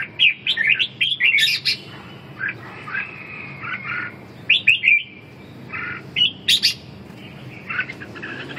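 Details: Red-whiskered bulbul singing in a competitive bout to revive a bird's drive: bursts of quick bright chirps alternate with longer steady whistled notes and short pauses, over a faint low rumble.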